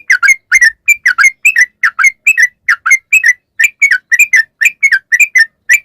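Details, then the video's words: Bulbul lure song of a sooty-headed bulbul in long 'ropel panjang' style: a steady stream of bright, bubbly two-part whistled notes, about four each second, continuing throughout against silence. "trucukan gacor ROPEL PANJANG buat pancingan trucukan agar bunyi jadikan burung trucuk gacor NYAUT"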